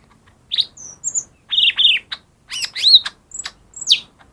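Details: A lesser green leafbird's song, played so that silent birds start singing: a lively string of high chirps, pure whistled notes and quick warbles, with short pauses between the notes.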